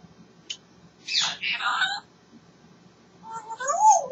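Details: African grey parrot, a pet talking away and enjoying itself, producing raspy speech-like syllables followed by smooth tonal sweeps that rise and fall like a spoken phrase.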